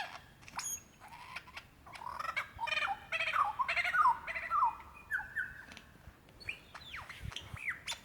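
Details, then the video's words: Lyrebird singing to attract a mate, Dandenong Ranges National Park, Victoria, Australia, February 2016, mimicking other birds such as a kookaburra: a varied run of squawks, clicks and sliding whistles, ending in looping upward-curving notes. "Rare and incredible sounds of a Lyrebird calling for his mate"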